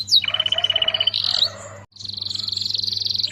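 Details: Canary singing energetically as tutor material for magpie-robins: a sustained rapid trill, a brief gap, then another long even trill, with a low hum beneath.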